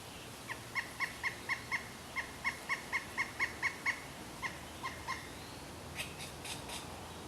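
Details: Pileated woodpecker delivering a long rapid series of loud, even kuk notes, roughly two to three per second, that slows and fades, followed by a brief higher rattling sound near the end.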